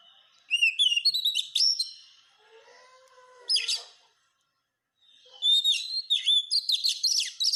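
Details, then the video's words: Oriental magpie-robin (kacer) masteran song, used to tutor other birds into singing: loud rising and falling whistled phrases with sharp chirps in two bursts, separated by a softer run of low, level harmonic notes, then a short silence. "Masteran burung kacer supaya cepet gacorr"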